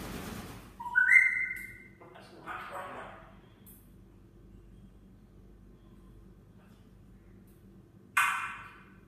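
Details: African grey parrot, a pet, giving a clear whistled rising note near the start, followed by softer scratchy sounds and a short harsh burst near the end.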